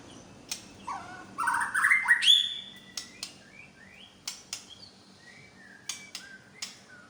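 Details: White-rumped shama of the Medan type displaying imitated song material: one rich warbled phrase climbing to a high whistle, followed by scattered clicks and soft chirps.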